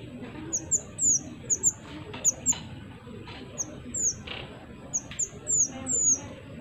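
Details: Pied triller singing vigorously as a lure for wild birds: quick clusters of high, falling whistled notes, sometimes in pairs or triplets, with soft low background noise.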